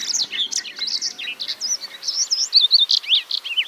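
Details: Yellow canary singing a fast, high, warbling stream of chirps and slurred whistles, with short trills and quick twisting notes run together almost without pause.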